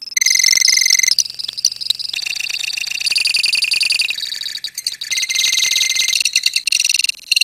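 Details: Lovebird colony giving continuous ngekek, a long trilled song: shrill, fast rattling notes that shift pitch in blocks every second or so, with layered overlapping voices and no pause.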